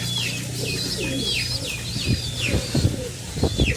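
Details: Young pigeons begging while parents feed them, giving rapid high-pitched descending squeaks in quick succession, with wing flutters and soft thumps growing louder toward the end.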